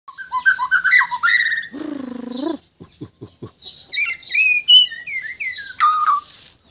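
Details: White-rumped shama from Sabah, Borneo, singing in a relaxed mood: fast varied whistles and chirps, then a long low buzzy nasal note, a short run of clicking pulses, and bright rising and falling whistled phrases.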